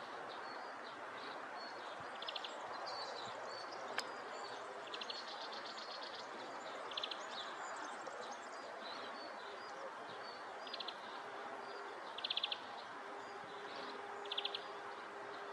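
European Pied Flycatcher giving short, sharp, high 'pik' notes every two to three seconds, over a steady hiss of wind and leaves and a faint low hum.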